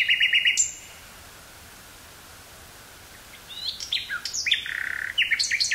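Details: A common nightingale singing in woods near Burgh-Haamstede, Netherlands, on 18 May 1983, gives a rapid rattling phrase, then after a pause a varied burst of sharp whistles, trills and chattering notes.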